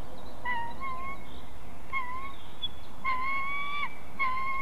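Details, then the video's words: Dispute over prey among a white-tailed eagle family, Ķemeru National Park, watched by live stream: strong drawn-out yelps, some slurred upward and one held longer, four calls in under five seconds, steady rumble beneath. "Ģimenes strīds par medījumu / Family dispute over game"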